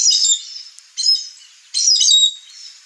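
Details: Wild chestnut-eared aracari at a rural backyard in the Brazilian Cerrado gives three loud, rasping, high-pitched notes, the first and last longer and buzzier, the middle one clipped, against a quiet background.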